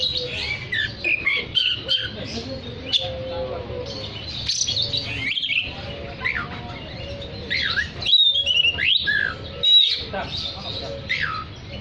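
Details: Oriental magpie-robin singing actively to call other magpie-robins: long varied sequence of warbles, clear whistles and swooping slurs, with louder ringing notes near eight and ten seconds, over faint hum.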